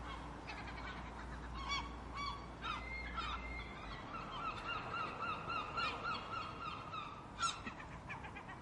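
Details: Seagulls calling: a mix of squawks and long level wails, with a rapid run of short repeated yelping notes in the middle and a sharp cry near the end, low rumble early on.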